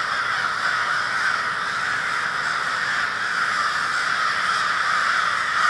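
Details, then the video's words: Winter flock of crows in Minneapolis, MN, recorded February 20, 2020: harsh caws pile over one another in a ceaseless noisy chorus that swells a little toward the end. "A Murder of Crows"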